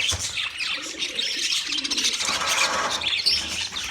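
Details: Brief burst of wild budgerigar chatter: rich, overlapping high chirps and squeaks, with faint low cooing underneath.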